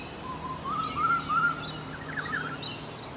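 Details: One of a pair of Olive-backed Orioles, a species that mimics other birds, gives a run of four or five short, rolling, slurred notes at a steady mid pitch, edging slightly higher, over a low steady background hum.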